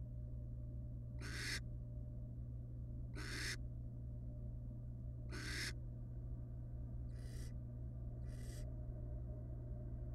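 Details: Barn owl family, wild and resting in a nest box: five rough hissing screeches, three strong then two softer, about two seconds apart, with an unbroken low hum.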